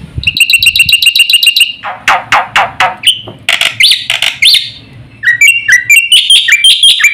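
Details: Fast, varied black-winged starling song: a rapid trill, then loud rasping harsh notes and short whistles, finishing with a string of rising and falling whistled phrases.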